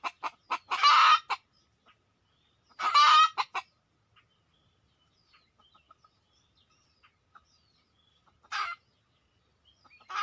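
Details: Red junglefowl lured in: a few sharp clucks around two loud raspy squawks early on, then near silence with faint ticks, and a later shorter harsh squawk.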